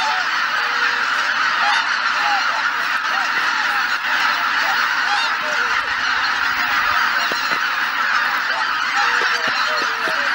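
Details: Morning at Izunuma marsh, Japan, with geese gathered at Shishibana under thick cloud. Ongoing mass honking from a large flock, with scattered closer calls scattered through the steady chorus.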